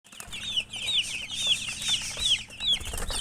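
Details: Baby chicks peeping, a flock of high, thin chirps that fall in pitch, overlapping and repeating roughly every half second, with soft rustling and scratching underneath.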